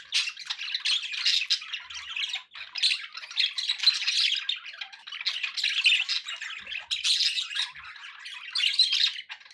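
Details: Several pet budgies keep up a lively, noisy chatter: rapid squeaks, harsh squawks and buzzy trills run together, briefly dipping once before resuming.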